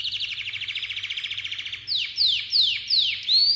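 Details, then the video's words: Malta canary song: a fast, even pulsed trill lasting nearly two seconds, followed by four loud, clear notes that slide sharply downward, the last one curling upward. "kanarya ötmesi - Malta kanarya ötümü"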